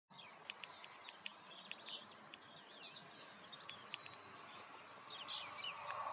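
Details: European greenfinch (Chloris chloris) song: twittering with quick, high chirps and short trills, about four a second and unevenly spaced, over a steady background hiss.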